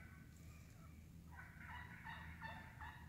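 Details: Wild turkeys feeding in woodland: faint purring at first, then a quick series of loud clucks from several birds.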